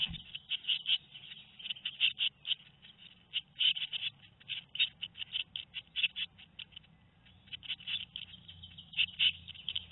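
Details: Tit nestlings two weeks old, Théding, France, 13 May 2019, giving softer intermittent raspy chirps in loose clusters over a quiet low rumble.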